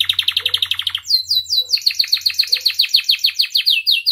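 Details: Domestic canary in full song, kept as a master and lure to make other canaries sing: a fast buzzy trill of even notes, then a run of repeated descending whistled notes about five per second, with a faint low hum beneath.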